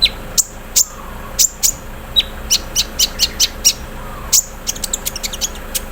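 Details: ["Morning song of a kept olive-backed sunbird put out in the dew, delivering 'mesin bordir' filler: a quick run of thin, very high clicking chips that crowd into a stuttering burst near the end."]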